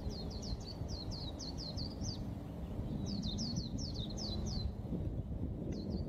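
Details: White-eye pouring out two fast runs of high, squeaky slurred notes separated by a short pause, then a brief final flourish, with a constant low rumble behind.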